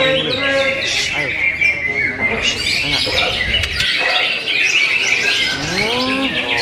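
Greater green leafbird pours out a rich, nonstop warble of quick chirps, slurred whistles and rising sweeps, busy and varied throughout, with lower harmonic notes beneath.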